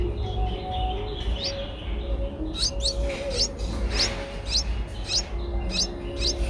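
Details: Eight-day-old Streak-eared Bulbul nestlings in Ubon Ratchathani, Thailand, recorded 10 April 2023, giving sharp high chirps repeated roughly every half second from the second second onward, over a low background hum.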